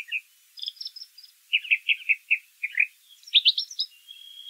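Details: Brown thrasher song heard in nature, with varied notes: high chips, then a run of paired mid-pitched phrases repeated about every half second, ending in rising squeaky notes and a steady high whistle.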